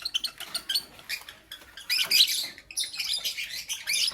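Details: Morning lovebird chirping, a busy stream of sharp, shrill squeaks and rasping twitters that rise to a louder burst midway and then continue steadily.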